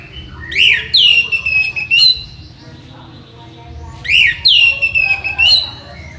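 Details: Orange-headed thrush (anis merah) singing, used as a tutor recording for training birds: two matching sequences of rising whistles and long, clear, drawn-out notes, about three seconds apart.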